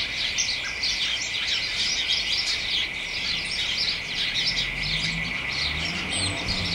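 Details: Garden hedge in early December, late afternoon: house sparrows and other small birds chatter excitedly, rapid chirps piling over one another without pause, a steady high hum beneath and a soft low rumble near the end.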